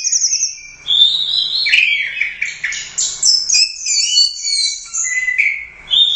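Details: Orange-headed thrush competition champion from the Royal Cup, 'gacor teler doyong' song: continuous varied high warbling mixing whistles, buzzy notes and slurred phrases without pause, over a faint low hum.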